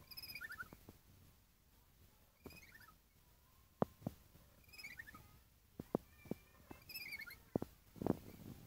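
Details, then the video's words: Lory offered for sale, giving four bursts of harsh, descending nasal calls with strong harmonics, each under a second and spaced a few seconds apart. Sharp knocks and clicks sound between the calls. "Burung Nuri Suara Mantap"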